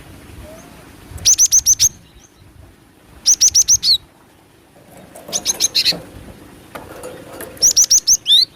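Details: Female cinereous tit call for luring birds: four clusters of quick, piercing high chips, each burst of four or five notes about two seconds apart, one closing with a rising-then-falling whistle, over quiet background hiss.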